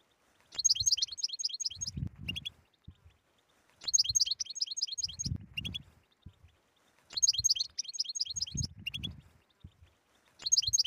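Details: European goldfinch in 'batbata' style song, played to end a goldfinch's silence: bright, rapid liquid twitter phrases with sharp chirps, repeating about every three and a half seconds, separated by muffled low thuds.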